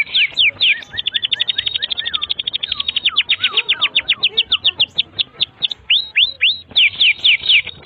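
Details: Canary tutor song for young or stalled singers: sharp descending whistles lead into a long fast series of high chips and looping slurs, ending in more loud downswept whistles.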